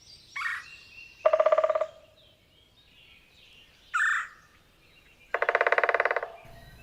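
Red-bellied Woodpecker giving two rolling, buzzy churrs about four seconds apart, each lasting under a second, with a shorter harsh note before each.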